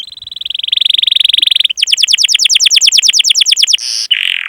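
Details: Canary master song for training young canaries, long chirping 'cuit cuit' rolling style: a buzzy, steady high trill for almost two seconds, then about twenty fast repeated upslurred chirps, ending in short buzzy bursts.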